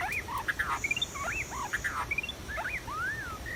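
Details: White-rumped shama singing in the wild during bird trapping: varied whistled phrases, some rising, some falling or looping, given in quick bursts over a faint background hiss.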